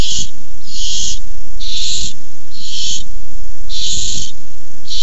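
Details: Five raspy barn owl screeches, uneven in spacing and length, from a food fight over a tiny mouse on 6-4-15, with low knocking noises in between.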